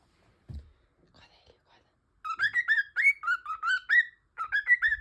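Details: Pet cockatiel calling nonstop like an alarm clock, heard after soft speech and a brief thump: a burst of harmonic whistled chirps, rising and falling, about ten quick notes, then a short pause and five more.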